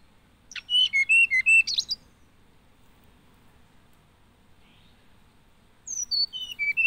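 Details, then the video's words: Two song phrases from a hill blue flycatcher, separated by a long pause: descending sweet whistles ending in buzzy notes, the second phrase again starting high and stepping down. "Hill Blue Flycatcher Bird Song"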